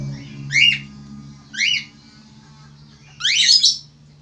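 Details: A male Australian finch gives three loud, harsh, downswept squawks, the last one longer and more complex, over a prominent low humming background.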